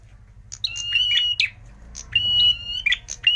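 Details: A red prinia, in a recording used as a lure call, sings in quick bursts of sharp, high chirps broken by long, thin whistled notes held at a steady pitch, over a faint low hum.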